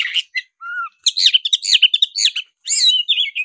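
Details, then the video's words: Black-breasted Oriental magpie-robin singing aggressively while fighting: short whistles and a low pure note lead into a long, rapid, jumbled stream of varied warbles and harsh chips. "suara kacer dada hitam gacor tarung ngobra suara menggila"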